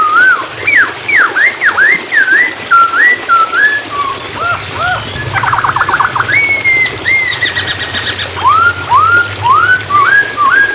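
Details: Varied whistled Hwamei song for training songbirds: swooping up and down slurs, a fast rattling trill, then a run of rising whistles. Continuous running-water background.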